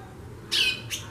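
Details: One loud, raspy, buzzy note from a female White-bellied Seedeater that is chattering a great deal, followed by a shorter second rasp, over a quiet low hum.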